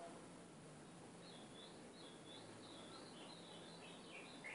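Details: A kept Ultramarine Grosbeak in training sings faint, sweet warbled phrases that rise and fall, repeated after about a second, over a steady background hiss.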